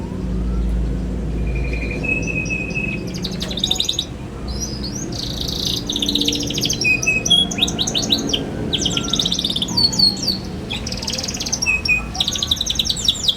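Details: Young canary chirping to train other canaries: scattered bursts of rapid trills and short tweets separated by brief pauses, with a faint steady whistle and low-pitched room noise.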